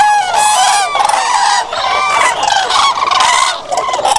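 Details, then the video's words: Several common cranes trumpet loudly, their overlapping rolling, bugling calls forming a harsh, continuous chorus throughout. "Common Crane musical chords"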